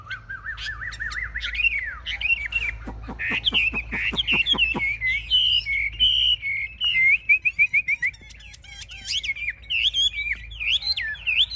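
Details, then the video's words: Fierce fighting Chinese hwamei in a cage, wings raised and tail spread, sings rising wavering whistles, then a burst of sharp clicks, followed by bright looping whistled phrases and fast slurred notes. "Họa mi chơi cánh cao đuôi xòe - Em này đấu ác"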